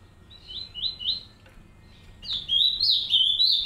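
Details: Green-winged saltator, a captive pair in an aviary caring for three chicks: short warbled whistled phrases, first softer then a louder run of rising and falling notes near the end, with quiet background.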